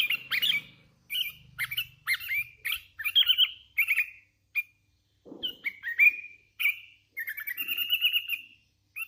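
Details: Young hand-raised sooty-headed bulbul singing hard: a dense, fast stream of chirps and whistled notes with slurred flourishes, nearly continuous throughout.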